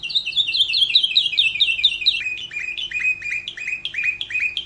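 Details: Atlantic canary song made as a tutor recording for training other birds: fast, bright trill of rapidly repeated downward-slurred notes, shifting after two seconds to a slightly lower, choppier series of repeated chips.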